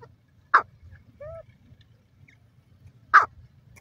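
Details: Grey francolin giving two short, loud, harsh call notes about two and a half seconds apart, with a faint low hum and a soft whistled note between them.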